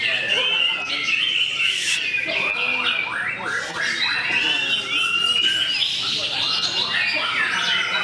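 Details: Caged white-rumped shama, known locally as murai batu, singing in a competition setting: a dense, continuous run of rich whistled phrases, rising and falling slurs and chattering notes, with other birds and voices faintly behind.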